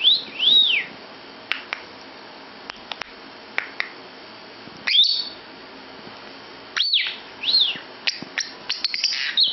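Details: Lovebird in a bedroom giving scattered high arched chirps, some single and some in quick pairs, several seconds apart, with faint clicks and taps in between and a denser flurry of chirps toward the end.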